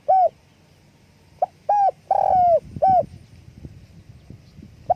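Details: Spotted dove calls with flapping wings: an opening short coo, then a phrase of brief coos around one long wavering coo, with low rustling noise in the background.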